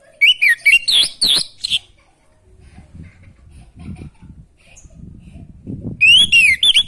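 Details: Orange-headed thrush singing, used as playback to bring a caged bird lacking breeding drive into song. Quick run of sharp, twisting whistled notes, a pause with faint low background murmuring, then another lively whistled phrase.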